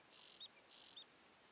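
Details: From a hide in wintry Bergslagen, Sweden, a northern goshawk gives two hoarse, high, drawn-out notes, each ending in a brief sharper flick, about half a second apart, over faint background hiss.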